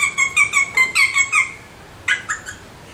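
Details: Alexandrine parakeets calling: a quick run of seven short, bright chirps, each about the same pitch, in under 1.5 seconds, then a pause and two or three further chirps; a quiet indoor room behind.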